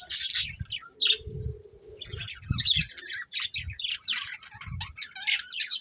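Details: Budgerigar calls come in scattered bursts of bright chirps and squeaky warbles, with a short steady lower tone and soft low thumps beneath.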